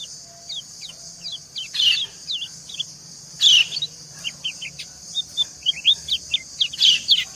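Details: Female white-eye answering a male in a calling exchange meant to woo him; many brief, high, falling chirps scattered throughout, with several louder sharp notes, all against a constant shrill hissing background.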